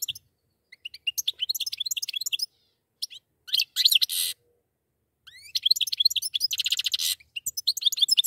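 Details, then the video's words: A pair of goldfinches singing: rapid high twittering phrases of quick chirps and trills, with buzzy rasping notes in between and short pauses. "زوجان من طائر الحسون"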